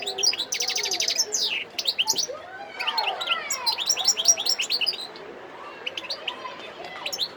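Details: Wild European goldfinch singing in Sidi Bel Abbes, Algeria, on 17 December 2021: fast, high twittering with buzzy trills and rapid repeated notes, loud for five seconds, then softer scattered chirps.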